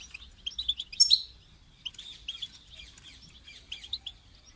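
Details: European goldfinch call meant to get a caged goldfinch singing, a lively burst of twittering high notes with a sharp accent near the start, then softer fast tinkling chatter.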